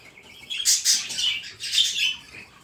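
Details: Budgerigar giving bright, high chirps in two quick clusters separated by a short pause, each cluster made of rapid scratchy twittering notes.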